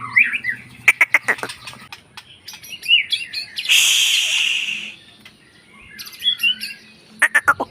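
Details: A white-rumped shama sings fast, sharp chirps and short whistled notes. A harsh, hissing rasp lasts about a second midway, then more rapid chirps.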